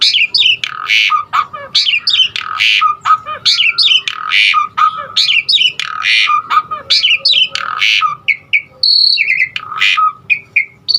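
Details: Asian pied starling singing repeated harsh squawky phrases with chattering and whistled notes, roughly every two seconds, ending in higher thin whistles.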